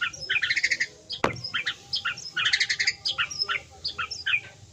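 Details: A Medan white-rumped shama delivers a busy, varied song of quick chirped and whistled phrases in bursts, with a single sharp click partway through and soft background noise.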